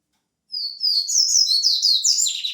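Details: Wild white-breasted seedeater (papa-capim peito branco) singing a fast, high, twittering run of slurred, rolling notes that starts after half a second of silence and continues without a break.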